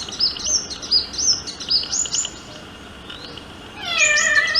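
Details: Sunbird singing in courtship, a fast series of thin, high chirps for about two seconds. A short quiet gap follows, then a lower, harmonic, wavering call near the end.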